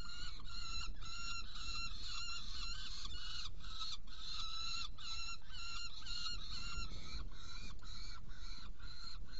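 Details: Hungarian Saker falcon, 16 June 2018 at 18:57, delivering prey and feeding two young: short harsh notes repeated rhythmically about three times a second throughout, over steady low background rumble.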